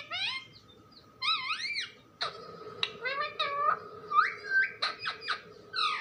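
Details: Talking parrot indoors uttering wavy, warbling harmonic phrases, then a busier sequence of short squeaks, clicks and gliding notes, with a steady low hum in the room.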